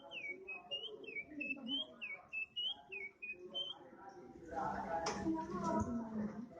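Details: Untrained oriental magpie-robin that has started singing keenly delivers a rapid run of short, repeated whistled phrases, rising and falling notes about three per second, before a burst of louder broadband noise drowns the song.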